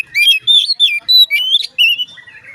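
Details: Oriental magpie-robin in song, said to make others of its kind join in; a quick run of about seven clear, varied whistled notes, rising and falling, with a softer warble at the end.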